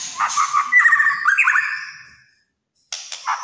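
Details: White-rumped shama in kretekan song style, said to rile other shamas: loud, varied whistled phrases with sliding notes for two seconds, a short pause, then a brief burst of high notes.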